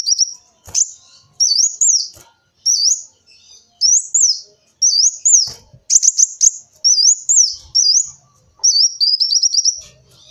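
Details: Lure song of a kolibri wulung sunbird: a lively series of high squeaky warbled phrases, each a quick up-and-down slur, repeated with short pauses and closing in a fast ticking trill; occasional clicks.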